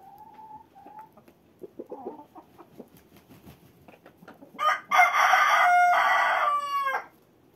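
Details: A cockerel walking in winter gives a long, loud crow lasting over two seconds in the second half, with a slight rise and a drop at the end. Quieter wavering calls and soft noises come before it.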